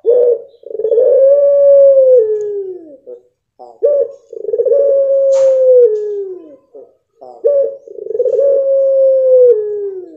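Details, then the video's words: Blorok pelung dove singing three long drawn-out coos, each about three seconds, starting with a short stutter, swelling, holding steady, then sliding down at the end, separated by brief pauses. "Puter Pelung Blorok 100% Joss"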